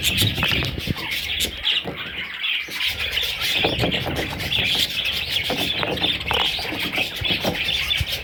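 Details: Baby parrot chicks keep up steady high-pitched twittering, many overlapping thin chirps and squeaks forming an unbroken chorus, with faint soft knocks in the background.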